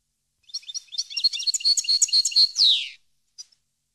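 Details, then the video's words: European goldfinch singing, for training captive birds: a jumble of rapid tinkling notes building into a steady run of repeated clear chips, closing with a harsh descending buzz, then a brief final note. "Canto Para Educar Jilguero"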